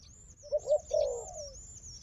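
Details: Dove described as a strong fighter: two short low coos followed by a longer falling coo, with thin high whistling chirps above.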